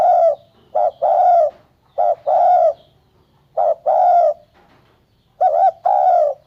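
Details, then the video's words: Paired coos from a spotted dove, a quick note then a longer one, four phrases spaced about a second and a half apart, last opening with a wavering note. "Tiếng Chim Cu Gáy cực hay"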